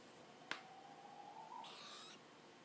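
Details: A captive juvenile tropical screech owl, known for head-bobbing, gives a thin, faintly rising whistle lasting about a second, then a brief raspy hiss, with a single sharp click just before.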